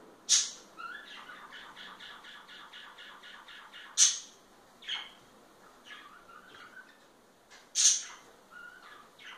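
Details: A pair of parakeets showing affection to each other: sharp bright chirps and soft warbled chatter, with three loud squeaky notes about four seconds apart and quieter rapid pulsed trills between them, indoors.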